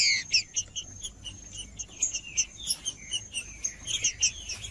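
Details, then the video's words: Green-winged saltator, a 'macheando' singer played to excite other birds into song: a rapid, busy run of short chirped and twittered notes, repeated several times a second for nearly five seconds, over a steady high hum and low background noise. "Trinca-ferro Macheando com Trinca ferro cantando Para Esquentar Trinca ferro"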